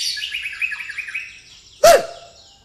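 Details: White-rumped shama singing a song filled with fighting sparrow calls; a rapid run of bright chirps and twitters at mid to high pitch for almost two seconds, ending in a sharp loud click.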